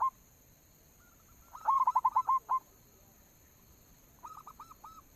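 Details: Local zebra dove lure cooing meant to prompt other doves to coo; a burst of staccato mid-pitched notes followed by a longer rounded coo, then a quieter repeat of the phrase, over a steady electronic hum.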